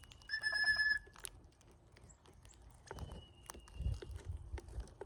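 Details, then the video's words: Cowbirds gathered in numbers at a feeder during migration: a steady, clear whistled note lasting under a second, rich in overtones, followed by a fainter thin level whistle amid scattered clicks and pecking sounds. "Love the funny sound cowbirds make!"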